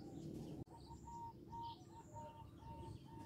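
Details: Local zebra dove calling to stir others into answering: a distant string of short, level cooing notes at an even pace, behind steady low rumbling noise and a brief click.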